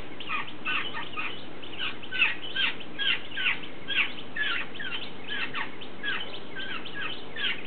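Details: A fledgling jungle babbler at a bird table, fed communally by several adults, keeps up harsh, rasping begging calls demanding attention, two or three a second and uneven in pace, over a low background rumble.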